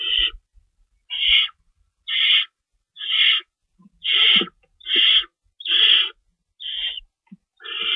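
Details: Owl at the nest during feeding time, 3:53 AM on March 25, 2012, with two rabbits stored and an adult staying in to shred prey for the young; harsh hissing screeches repeat about once a second, with faint soft thumps.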